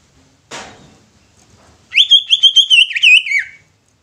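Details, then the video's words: Captive greater green leafbird singing to make other leafbirds sing and become agitated: a sharp click, then a loud warbling run of quick whistled notes that slide and wobble, about eight pulses in under two seconds, ending in a falling slur. "Cucak Ijo Ini Mampu Bikin Cucak Ijo Lain Ikut BUNYI dan EMOSI"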